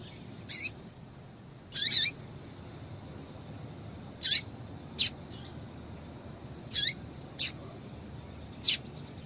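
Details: Female double-collared seedeater call intended to get males singing: short high chirps and slurred notes spaced irregularly, roughly every one to two seconds, against quiet low background noise.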